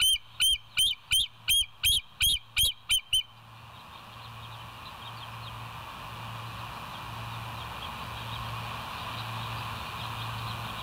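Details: Bald eagle, West End nest, live nature cam, 26 September 2023, 07:01; about ten shrill, high whistled notes in steady rhythm for three seconds, then calling stops and a constant rushing noise with a low hum remains.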